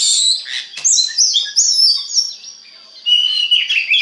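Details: Oriental magpie-robin singing to spur other magpie-robins into song. Rapid high chirps and whistled slurs are followed by a steady, thin held note, then more lively warbling phrases.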